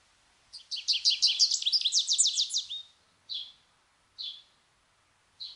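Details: American goldfinch singing a fast run of bright, high twittered notes for about two seconds, followed by three short separate chirps spaced roughly a second apart.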